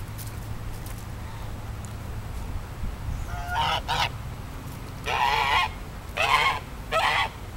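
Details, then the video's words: Duck or goose giving a strange donkey-like call: a pair of short harsh honks, then three longer rasping brays in quick succession, over a steady low rumble of background noise. "Donkey Duck Thing"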